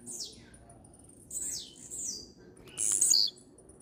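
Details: Blue-black grassquit (tiziu) singing firmly: high descending slurred notes, then a loud, very high buzzy burst near the end.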